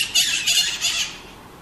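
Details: Scaly-headed parrot (maritaca) giving three harsh, raspy squawks in quick succession, broad and noisy, then fading into quiet background.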